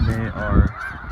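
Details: Snow Geese in January at Bosque del Apache Wildlife Refuge, where flocks of thousands move about, give a quick burst of nasal, yelping honks that overlap in a brief rush before fading into a softer flock murmur.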